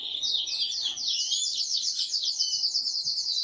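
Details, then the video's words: Male canary singing excitedly to spur the female to mate, a fast warbling trill of slurred high notes rippling continuously. "تغريد قوي جدا كناري هائج لتسميع الفراخ | canary singing"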